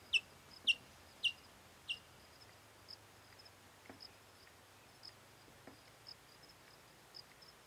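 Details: An adult white-tailed kite in Brazil arrives at its nest with a rodent to feed its three young: four sharp, high, whistled chips in two seconds, then fainter, thinner notes about once a second; faint background hiss.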